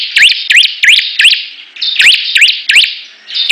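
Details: Bar-winged prinias in a singing contest: two bursts of four loud upward-flicking notes separated by a brief level whistled tone, all over high, dense chattering.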